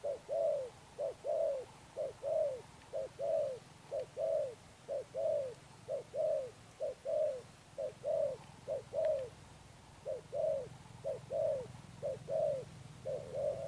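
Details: Spotted dove, a wild-caught bird, giving Sấm Thổ style coos: a long steady series of about thirteen two-part phrases, a clipped note followed by a drawn-out bending coo, roughly one per second, with faint low hum.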